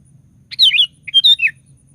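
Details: Sooty-headed bulbul in full cheerful voice, used to provoke other bulbuls to sing: two clear phrases of rolling whistled notes, rising then dipping, over a soft low hum.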